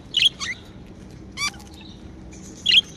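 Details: Domestic budgerigars, said to be happy, make a few isolated bright chirps and one quick rattling note, separated by short pauses, over a soft steady background hum.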